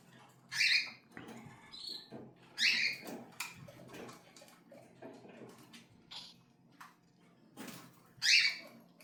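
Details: Cockatiels giving short, scratchy screeches spaced a few seconds apart, with softer chirps in between. Rustling, fluttering and movement noises run underneath.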